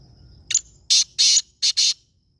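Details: Black francolin calling: a harsh, grating phrase of five loud raspy bursts within about one and a half seconds, a short clipped note, two longer rough notes, then a quick close pair, over a quiet, still background.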